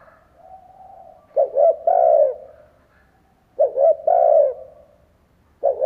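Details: Decoy spotted dove cooing to provoke other doves: loud phrases about two seconds apart, each made of brief broken notes followed by a long, husky, falling coo, over quieter background cooing and a low hum.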